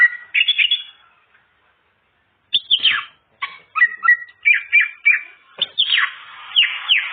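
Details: Greater green leafbird singing its full repertoire of fills, used to coax untrained birds into song: loud clear whistled phrases, falling and rising, after a short burst and a pause of about one and a half seconds.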